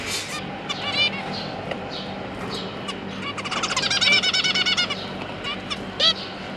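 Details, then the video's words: Zebra finches, two parents and three newly hatched juveniles during feeding, October 2022: scattered nasal calls, then a dense rapid stuttering series mid-clip, ending with a single loud beep. "Zebra Finch - Jobby and Yongi, and their 3 juvenile babies"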